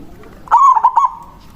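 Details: Single manggung phrase from a local zebra dove, used to draw in rival birds: a drawn coo followed by two rapid stuttered notes, then a faint lingering tone.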